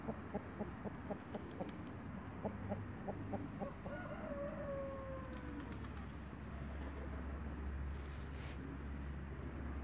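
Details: Giant lemon pyle Brahma rooster in a backyard: a quick series of short clucks, then a drawn-out crow of about three seconds with a long falling tail, over a steady low rumble.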